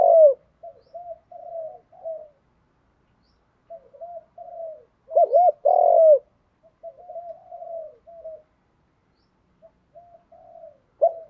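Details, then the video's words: Spotted dove giving the Thúc Đấu call meant to lure wild doves. Clean, low coo phrases of several notes come in bursts separated by silent gaps, with one much louder, fuller coo near the middle. "Tiếng chim cu gáy Thúc Đấu gáy gọi kích bổi cực nhạy"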